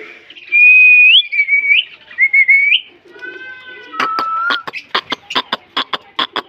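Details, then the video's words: Talking green parrot, a Mithu parrot kept as a pet, gives three short up-swept whistles in a row, then a soft speech-like harmonic phrase followed by a run of sharp, evenly spaced clicks. "talking green parrot😍 ..(Mithu parrot)"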